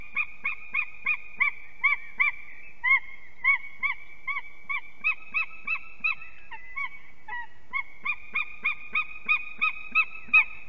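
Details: Eagles at a nest in Ķemeri, Latvia, at 6:01 am on 8 March 2024, with two unringed adults arriving and mating. A fast series of sharp, yelping notes comes about three per second for ten seconds, with one brief break.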